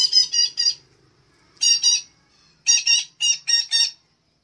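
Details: Red-breasted parakeet lure sound: rapid runs of loud, raspy squawks in threes and pairs, closely spaced and strongly repeated.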